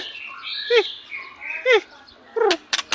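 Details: White-rumped shama song: varied whistled phrases around mid pitch, broken by sharp downward-sweeping notes and bursts of clicky, rattling accents near the end, with short pauses between phrases.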